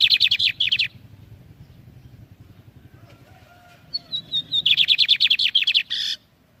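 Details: Lined seedeater (bigodinho) song for training young birds: a fast buzzy chip series fades out, a long pause follows, then four descending whistles give way to a quick rattling trill that finishes in a harsh buzz.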